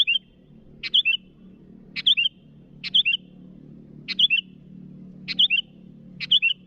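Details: Repeated rival-calling phrases from a sooty-headed bulbul, each a sharp tick and two rolling whistled notes, delivered about every second, seven times, over a low droning hum.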